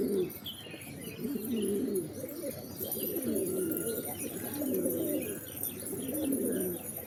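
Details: Low, throaty pigeon coos swell and fade in repeated bursts from a group of birds, while thin, high chirping from other birds sounds in the background.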